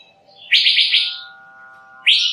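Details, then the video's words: Brief male Asian fairy-bluebird lure call: one loud buzzy burst of four quick rasping pulses, a steady tonal drone, then another harsh rising rasp. "Suara pikat burung cucak biru jantan"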